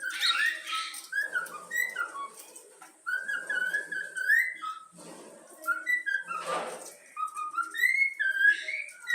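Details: Trained yellow-cheek young cockatiel whistles the Flamengo anthem in wavering, slurred phrases with pauses, accompanied by soft rustling and a short noisy burst midway.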